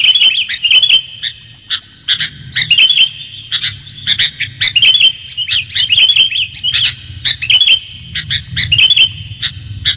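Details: Sooty-headed bulbul calls for luring: lively bubbly phrases and sharp chirps repeated every second or so over ten seconds, with a steady low hum in the background.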